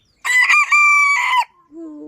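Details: A 6-month-18-day-old red-brown and gold bantam rooster crows in the morning: one high, bright crow about a second long, with choppy opening notes leading into a long held tone that drops at the end. A woman's voice follows.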